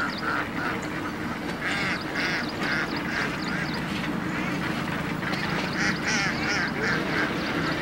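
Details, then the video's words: A large flock of Indian ducks, hundreds feeding together in dam water, giving a dense continuous chorus of nasal quacks that overlap and repeat rapidly, with some higher chirping notes above a steady background rumble. "Ducks indian ducks Hundreds of ducks feeding in water"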